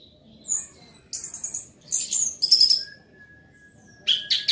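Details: Short stretch of loud orange-headed thrush song: a thin high whistle, then harsh, scratchy bursts, a long low steady tone, and two sharp final notes.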